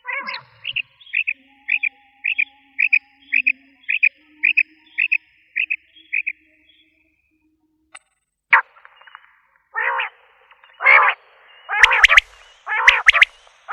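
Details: Common quail (batair) calling: a run of about twelve short, clipped notes evenly repeated roughly twice a second, followed by a pause and then several louder, harsh, rasping bursts spanning a wide pitch range.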